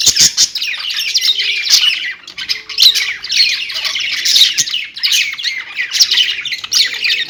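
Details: Budgerigars kept as pets warble nonstop, a bright jumble of squeaks and chirps rising and falling in loudness in short bursts.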